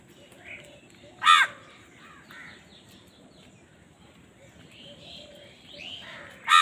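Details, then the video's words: Crows squabbling for food: two sharp, loud caws several seconds apart, with faint background cawing filling the gap. "Crow Bird Crowing Sound || Crow ki Awaz part 68 || Crow Bird Fight for Food"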